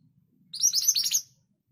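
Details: Scarlet minivet singing a short, rapid burst of high, thin chirps run close together, lasting under a second, with a faint low hum beneath.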